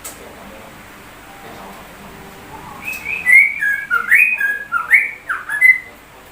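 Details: Sooty-headed bulbul mimicking white-rumped shama song: quiet start, then from the middle a lively series of varied slurred whistles, rising and falling, some paired, about seven in quick succession.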